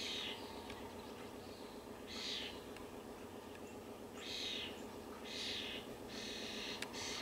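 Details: A European starling fledgling gives harsh, raspy, crying screeches in bursts every second or two, begging as its parent feeds it in a backyard, over a steady low background hum.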